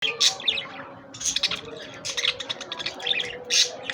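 A budgerigar chatters in quick, scratchy chirps and squeaky warbles, with bursts of harsh squawks.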